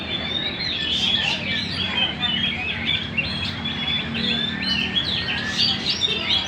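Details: Magpie-robin in full gacor song at Banjar Indah, pouring out a steady stream of thin high whistles and clipped chirps at an even pace over faint low background noise.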